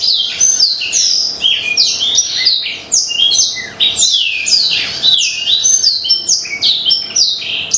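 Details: Black-throated canary in an energetic, continuous song used as a lure to prompt birds to sing: a dense stream of high, fast-swooping whistled notes and chattering trills with almost no breaks.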